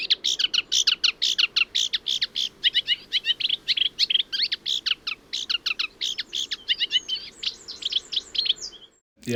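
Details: Eurasian Reed Warbler song: a steady, chattering run of short, scratchy notes, each repeated two or three times at an even, unhurried pace, quieter and less imitative than a sedge warbler's; no other sounds.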